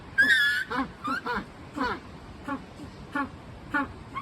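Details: Captive Magellanic penguins at a Japanese aquarium, becoming noisy after resting. A short nasal squeal is followed by a run of clipped, pulsed honking notes at irregular intervals, roughly twice a second.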